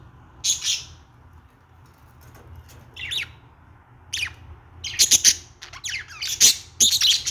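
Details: Budgerigar sounds: isolated high scratchy notes and clicks, then a busier stretch of rasping chirps and squeaky twitters in the last seconds, faint low hum.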